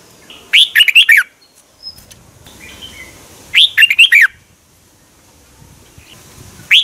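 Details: Red-whiskered bulbul singing in Thailand, a recording played to stir caged birds. Three bright, warbled phrases come roughly every three seconds, each a rising note followed by quick lilting notes, with light background rustle.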